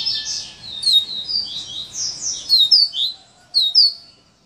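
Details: High, quick song of a coleiro in the "serra elétrica" style. Shrill whistled slurs run together, ending in a few louder, sharper downward notes.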